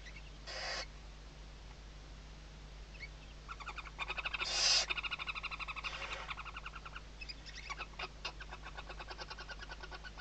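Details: Western barn owl chicks under their mother's wings at a nest in Riet Vell reserve, Spain, 2023: an opening hiss, then a long rapid chittering rattle broken by a loud hiss midway, continuing to the end.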